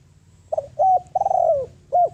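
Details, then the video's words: Decoy spotted dove calling to draw in wild doves: a phrase of short hooting coos, a sustained wavering downslurred coo, then a final clipped note, all low and mellow. "Tiếng Chim Cu Gáy Mồi Đất Gáy Gọi Bổi, Chiêu Bổi - kích chim về nhanh"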